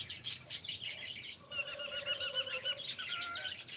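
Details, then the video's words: A pet cockatiel says good morning, giving a sustained, harmonic-rich whistled phrase in the middle of the recording, framed by quick chirps and sharp clicks. A faint low hum sits underneath. "ShonaTheCockatiel is saying gud morning"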